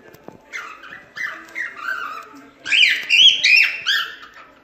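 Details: Cockatiel song used to teach cockatiels to sing: rolling, throaty warbles that grow louder and end in a run of sharp, bright chirping phrases.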